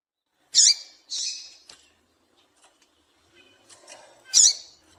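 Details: Female double-collared seedeater calling to make males sing: a sharp high chip followed by a longer, softer buzzy note, a quiet pause with faint rustles, then another piercing chip.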